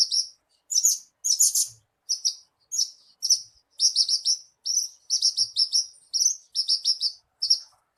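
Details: Javan bushlark song played to coax a captive bird into singing: rapid bursts of high, buzzy chirps and trills in clusters separated by short gaps, with a steady chattering rhythm and a clean, quiet background.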